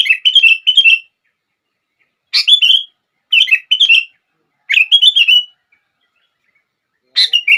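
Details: Song of a sooty-headed bulbul meant to trigger other bulbuls into song: clusters of rapid bubbly, slurred notes in short phrases separated by pauses of about a second.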